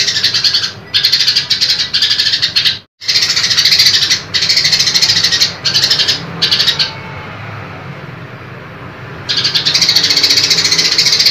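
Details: A female grey-cheeked bulbul gives loud, harsh, grating chatter in long bursts broken by brief pauses, a female call said to summon the male.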